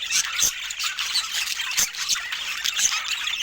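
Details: Budgerigar chatter from pet birds, a steady run of high, scratchy warbling and thin squeaks, with a few sharp clicks or taps standing out through the few seconds.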